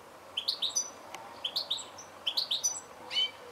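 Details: Goldfinch: tinkling three-note chirp groups, repeated roughly once a second, with a soft click and a brief rasp near the end.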